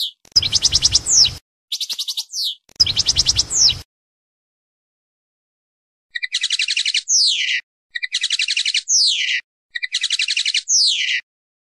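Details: Goldfinch passades: a series of rapid pulsed trills, each ending in a steeply falling whistle, given in quick groups, the later three phrases spaced evenly and cleanly apart.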